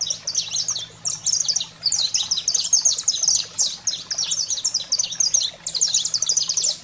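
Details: Saffron finch wild song meant to excite pet canaries: loud, dense run of high chirps and clipped downslurs in long phrases separated by brief breaks, low hum in background.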